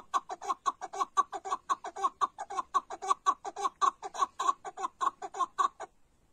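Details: Chukar partridge calling in a fast, steady series of short clucking notes, about four per second, each harsh and mid-pitched, running for nearly six seconds before stopping.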